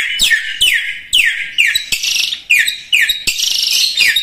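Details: Common iora singing vigorously, a recording meant for training other birds: loud, buzzy, whistled notes sweeping down steeply, repeated about twice a second, some with rough, rattling texture.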